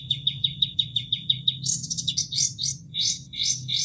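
An Olive-winged Bulbul gives a quick run of about eight clipped, even notes, then breaks into bright, varied warbling phrases. A low rush of water runs underneath.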